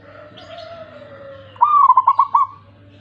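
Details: Zebra dove from the wild giving its crisp lure song for silent doves: after a faint low whistle, a bright coo rises then rolls into five quick evenly spaced pulses before trailing off.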